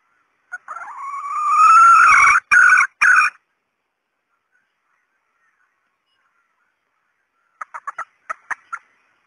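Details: Hen red junglefowl call used as a lure for males: a long rising wail that breaks into two short loud bursts, then silence and a quick series of about eight soft clucks repeated roughly twice a second.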